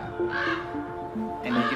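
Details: Two harsh, hoarse croaks, about a second apart, over steady background music, from parent common ravens upset as a climber reaches their nest with chicks.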